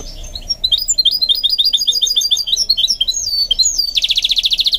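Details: Goldfinch mule in training, singing a fast chattering run of high twittered notes that ends in a dense, rapid buzzy trill.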